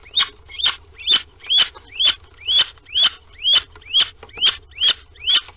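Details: Little owl piping at a nest box, Sprundel, 13 February 2020, morning: a steady series of high, short upslurred squeaks, about two per second, each with a scratchy edge, continuing evenly throughout over faint low hum.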